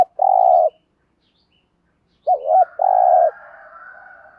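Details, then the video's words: Trained lure spotted dove cooing in the thúc gù pattern: a long steady coo, a pause, then a quavering double note and another long hollow coo. A distant rooster crows faintly afterward. "chim cu mồi bài bản THÚC GÙ bài bản nhất hiện nay, cu cườm bài bản dùng kích bổi hiệu quả. cu gáy"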